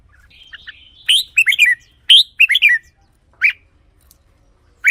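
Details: Red-whiskered bulbul singing for decoying or exciting caged birds: soft buzzy notes lead into two fast, bubbly warbled phrases, followed by isolated sharp chirps.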